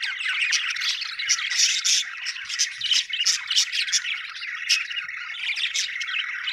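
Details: Happy budgies keep up busy chirping: a steady warbling chatter broken by many quick, bright tweets, roughly three per second, overlapping from several birds.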